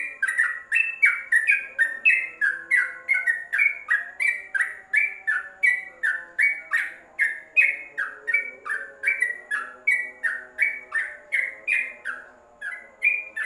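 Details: Long, unbroken stream of rich, bubbling notes from a caged yellow-vented bulbul inside a covered cage, roughly three per second, rising and falling in tumbling pairs, meant as tutor song; a low hum sits beneath.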